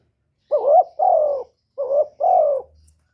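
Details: Spotted dove call for luring wild doves: two clear double coos, each a rising, rolling note followed by a longer falling hoot, with a faint low rumble at the end.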